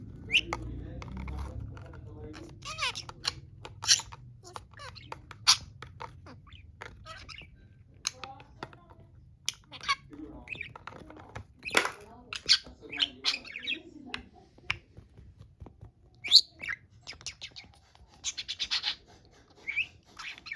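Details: A pet budgerigar fighting with a toy gives rapid, scratchy chirps and squeaks mixed with sharp clicking taps.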